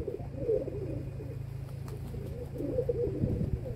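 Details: Kept domestic pigeons, recorded 27 May 2022 at 14:41, give soft, low, rolling coos early and late in the clip, over a steady low mechanical hum.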